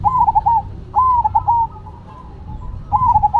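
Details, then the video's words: Zebra dove song, from a perkutut Cemani and Silver match: three bright, clipped coo phrases close together, each a quick run of bouncing notes, with a brief quiet gap before the last. "Perkutut Cemani Gacor Vs Silver Gacor"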